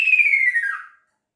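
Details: A male kaso-kaso bird calls for its female with a pure whistled note that falls steadily in pitch and fades out after under a second, in otherwise silent surroundings.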